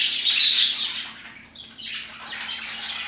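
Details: Parakeets chirping around 2pm: a loud burst of harsh, high chatter at the start fades to a brief lull, then overlapping chirps build again.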